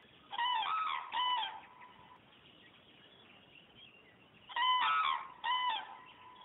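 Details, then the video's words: Flying cranes heading away call in two paired bouts of loud, rolling, trumpet-like notes with rich overtones, separated by a few seconds of quiet open-air hiss. "Журавли улетают"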